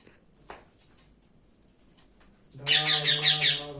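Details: A baby rose-ringed (ringneck) parakeet gives loud, raspy, pulsing begging calls, about four a second, while being hand-fed indoors, after a quiet start with a faint click.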